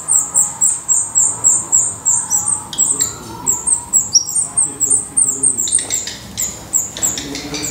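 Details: Portuguese black redstart at the nest: rhythmic, very high chipping notes in quick succession, one brief downward whistle midway, and faint low murmuring underneath.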